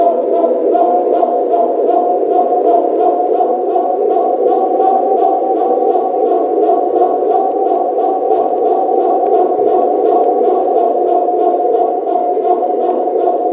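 Arabian trumpeter pigeons give a continuous low, droning, rolling bark-like cooing, with high chirps from other birds.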